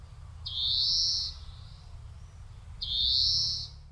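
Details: European greenfinch from a sound guide to the birds of Córdoba, giving two long, harsh, buzzy wheezes, each nearly a second long and about two seconds apart, with low background rumble.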